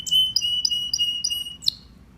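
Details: Short canary song fragment: a steady thin whistle held under five evenly spaced sharp chirps, ending with a quick upward flick note.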